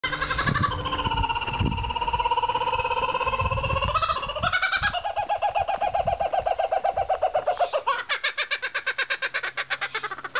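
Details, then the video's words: Captive kookaburra in an enclosure at an animal refuge in Deeping St James, calling loudly whenever a person walks past and feeling threatened: sustained harmonic hooting notes that break into a fast, rhythmic cackling of rapidly repeated pulses. "A Cookaburra feels a little threatened"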